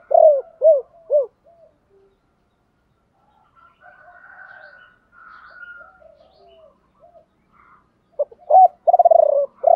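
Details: Spotted dove decoy in the 'ba hậu' calling style, luring wild doves: three quick arched coos, a long stretch of faint murmuring, then loud coos and a rolling purr return at the end.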